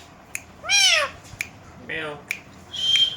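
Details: Indian green ringneck parakeet kept as a pet, said to mimic a cat's meow: two arched meow-like calls, the second lower, then a steady high whistle, with sharp clicks between.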